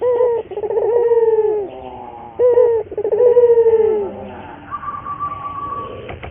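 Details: Local puter dove singing as a lure and training recording for getting doves to sing eagerly: a short coo, then a long, purring, gently falling croo, repeated twice, with a steadier tone near the end.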